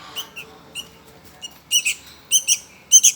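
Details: Hungry Sooty-headed Bulbul nestling begging: a run of short, high, thin squeaks, sparse at first, then coming in closer pairs that grow louder toward the end.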